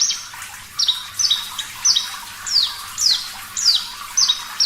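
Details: Javan bush lark, Parva type, singing strongly and clearly for training songbirds: spaced high notes, each a quick steep downward slide, about one every half second, with faint watery hiss behind.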